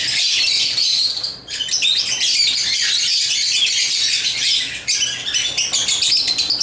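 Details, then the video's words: African lovebirds playing with toys, kept as pets; dense, continuous high chirping and squeaky twitters from several birds, with a brief pause near the start and no other sounds standing out. "Love birds chirping & playing toys"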